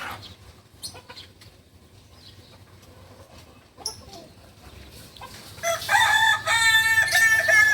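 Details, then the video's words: Novice Balenggek rooster, a native Solok chicken of West Sumatra. After faint clicks and rustling, a loud crow begins near the end: a run of rapid, ringing syllables rising and falling in steps. "Ayam kukuak balenggek PEMULA ayam asli solok sumbar"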